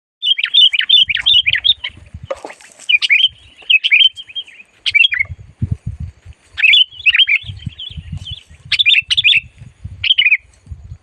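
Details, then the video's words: Sooty-headed bulbul calling loudly and fiercely while being lured for trapping. Bursts of bubbly, warbled chirps come in quick clusters with short gaps. Dull low thumps sound underneath. "SUARA BURUNG MACIT DISAAt DIBAWA MIkat"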